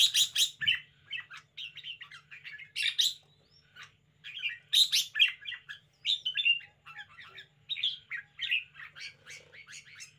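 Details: Spirited caged red-whiskered bulbul pouring out repeated chattering, warbled phrases in quick bursts, several starting with sharp rattly clicks, over a constant faint low hum.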